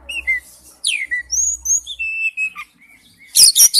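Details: Oriental magpie-robin lure recording with drawn-out sweet whistles, falling and level slurs, then a harsh scratchy burst at the end.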